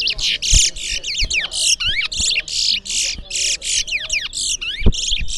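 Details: Competing towa towa seed finches at a Berbice singing contest deliver rapid bursts of buzzy, high twittering notes, each burst broken by brief pauses, with a man counting aloud in the background.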